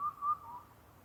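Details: Indian cuckoo (Cuculus micropterus), a rare visitor, calling at night near Naka-Karuizawa, Nagano, Japan: two or three clear, mellow whistled notes at a steady mid pitch, the last softer and trailing off against a quiet background.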